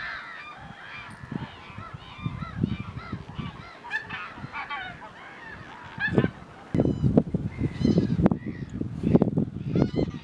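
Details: Pink-footed geese in March at RSPB Snettisham, Norfolk, with other geese present; a distant flock gives many overlapping, rising nasal honks, followed by louder low thumping and rumbling noise in the second half.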